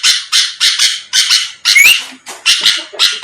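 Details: Sooty-headed bulbul lure song meant to provoke rival birds into answering: harsh, buzzy bursts repeated about three times a second, broken by a thin rising whistled note near the middle.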